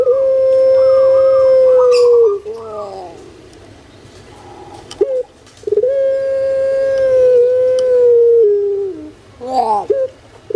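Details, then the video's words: Pet puter pelung collared dove from Indonesia delivering two long, level, drawn-out coos, each ending in a lower dip and a gurgling, wavering phrase, with quiet pauses between. "PUTER PELUNG SUARA MERDU STABIL"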